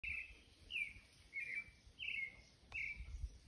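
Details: Wild creamy-bellied thrush (Turdus amaurochalinus) sings five short, clear, sad-sounding phrases of about the same pitch, each slightly falling, spaced under a second apart, over a steady high insect hiss and low rumble.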